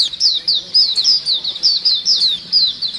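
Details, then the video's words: White-eye flock chorus meant to attract birds: loud, high, rapidly repeated downslurred tweets in close succession, several birds calling at once over light background hiss. "suara pikat pleci dan pancingan pleci ombyokan gacor"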